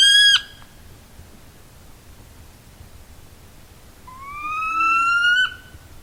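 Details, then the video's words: Northern saw-whet owl agitated whine, a call used on wintering grounds: a short, high, falling note, then after a pause a longer, nasal, slowly rising whine lasting over a second. "They also produce what we call an agitated whine."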